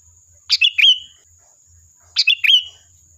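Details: Sooty-headed bulbul song used as a lure to provoke a reply: two short bursts of bright chirpy notes, each a quick pair of sharp notes ending in a fluty slurred whistle, with a steady high hum behind.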